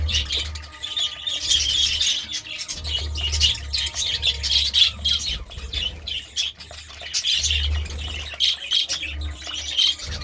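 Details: Morning chirping from a budgerigar, an irregular stream of high, squawky chirps and short warbled notes, with brief pauses between bursts and a constant low hum underneath.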